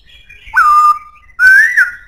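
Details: Two powerful whistles from a black-throated laughingthrush, the first sharply rising then held level, the second climbing gradually and ending on a brief flourish.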